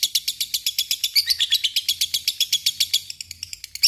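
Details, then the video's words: Fighter lovebird in long ngekek song, pouring out fast, shrill chirping notes at about four a second, steady and high-pitched throughout with no pause. "Ngekek panjang LOVEBIRD"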